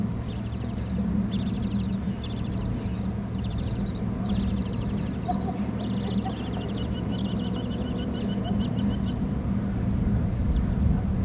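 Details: Eagle pair at their nest on Hornby Island, watched by a nest and territory camera as one floats to the back rim: bursts of high, thin chittering notes come in quick runs over a steady low background hum.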